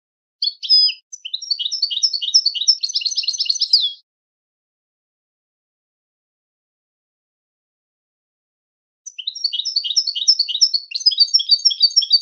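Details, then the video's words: Goldfinch song meant for teaching captive goldfinches: two bursts of fast, liquid twittering, the first ending in a dense buzzy trill, separated by about five seconds of silence, with no other sounds. "Super Song To Teach And Listen To Goldfinches Birds"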